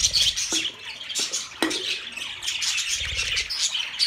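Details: Budgerigars chirping for lonely birds: bright, dense warbling chatter of several birds, with a few sharp clicks and low rumbles underneath.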